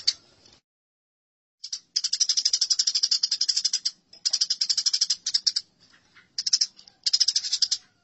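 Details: Squabbling house sparrows give long rapid runs of sharp, buzzy chirps in several bursts separated by brief gaps, the chatter dense and high-pitched throughout.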